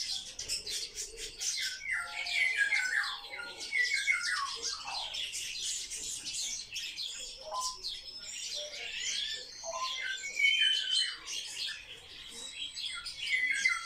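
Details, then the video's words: Many sparrows kept indoors twitter without pause, a long run of rapid high chirps, buzzy squeaks and downward-slurred notes, about three calls a second, overlapping from several birds. "Воробьи - Sparrow"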